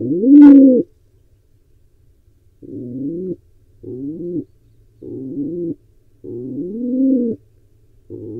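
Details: Wild pigeon at a barn owl and pigeon nest camera in Israel, still trying to breed: a loud opening coo followed by five softer, low moaning coos with rising-then-level tones, spaced by short pauses.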